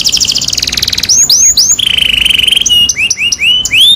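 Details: Canary in full song, a pancingan to get a quiet bird singing: a fast high trill, swooping whistled slurs, a sustained wavering mid-high tone, then repeated rising chirps.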